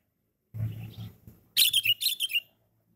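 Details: Sooty-headed bulbul, described as loud and persistent, gives a quick burst of about six bright, clipped chirps after a low rumbling noise, then falls silent.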